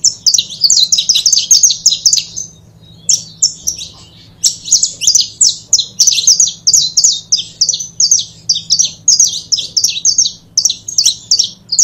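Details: A saffron finch pair sings in a dense, near-continuous stream of high, sharp, repeated notes, broken by one brief pause, recorded for stimulating other birds, with a faint low hum.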